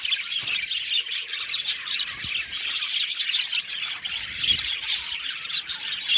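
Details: Many budgies in an aviary chatter together: a thick, steady wash of high chirps and warbled phrases with occasional sharper notes.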